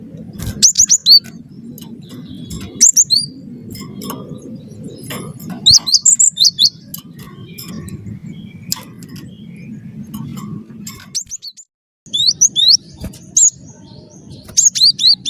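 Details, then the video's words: Cinereous tit of the wingko type, a lively, constant singer, used as a lure to prompt other birds to sing: bursts of three to five sharp, high down-slurred whistles repeated every few seconds over a low steady rumble. "gelatik batu wingko gacor jitu buat bahan ikut gacor ampuh pancing bunyi"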